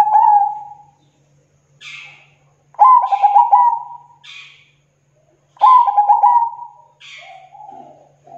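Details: Zebra dove singing actively, local birds, a recording meant to lure local zebra doves: deep, pulsed, rolling coos near one pitch, in phrases a few seconds apart, with short high buzzy chirps between them.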